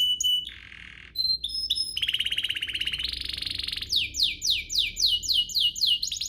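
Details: Canary singing as a lure for other canaries. Opens with high pure notes and a low buzz, runs into a long rapid trill, then a steady series of sharply falling whistles.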